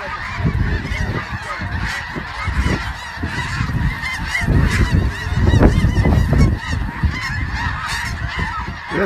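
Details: Snow geese calling en masse, a thick, unbroken layer of high yelping honks over constant low wind roar.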